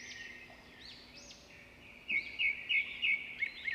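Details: Birds chirping: a series of short, bright, high chirps repeated several times per second in the second half, over a steady background hiss.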